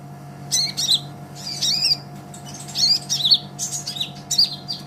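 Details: Konin sunbird, green type, a master for training songbirds, gives a busy stream of sharp high chirps and short descending twitters in loose clusters over a low hum.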